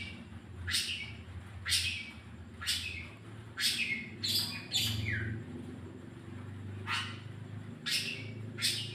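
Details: Long-tailed shrike lure song played to get a bird singing: loud harsh broadband notes with rising buzzy strokes, repeated roughly every second, over a low steady hum.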